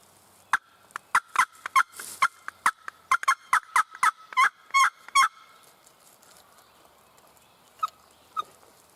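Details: A mountain wild turkey tom in Virginia, spring season, gobbling near his hens at morning. A long volley of rapid rattling bursts runs for about five seconds, then quiet, with two faint single notes trailing near the end.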